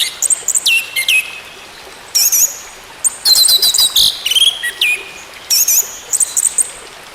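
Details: Orange-headed thrush song meant to restart a silent bird: high, thin whistled slurs and chirpy notes tumbling in short bursts, several downward sweeps, separated by short quiet spells against faint background hiss.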